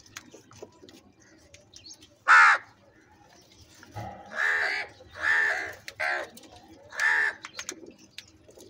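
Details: Crows squabbling over food give a run of five harsh, rasping caws. Each lasts about half a second, with short gaps between, over quiet background twittering.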